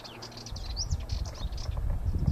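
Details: Sardinian warbler in song, a quick burst of thin, high chattering notes with a sharp upward flick, set against heavy low rumbling noise.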